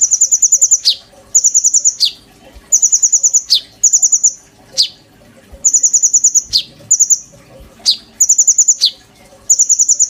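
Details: Caged oriental magpie-robin singing vigorously, kept as a tutor for white-rumped shama. It gives high, rapid chattering trills of even notes, each burst ending in a sharp downslurred whistle, repeated about every two seconds.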